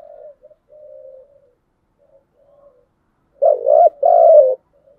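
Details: Spotted dove singing giọng đồng style: quiet, low humming notes, a pause, then a loud, mellow double coo, the second part longer and gently falling.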